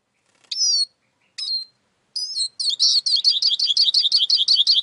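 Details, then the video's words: Eurasian siskin: three separate high falling whistles, then a fast run of rapid, twittering, repeated notes that keeps going to the end. "İskete kuşu ötüşü"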